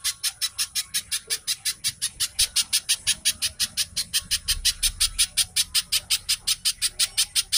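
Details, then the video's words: Little spiderhunter (pijantung) singing its quick, dense gacor song, meant to prompt captive birds to sing: a long unbroken series of shrill, harsh notes, nearly three per second, with faint low rumble. "Burung pijantung/Cici codot gacor speed rapat suara mirip TENKE BUTO"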